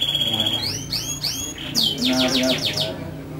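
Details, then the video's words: Canary song: a few upward-swooping whistled notes repeated in quick succession, then a rapid, loud burst of high trilled syllables over a low background hum. "Suara Merdu Burung Kenari"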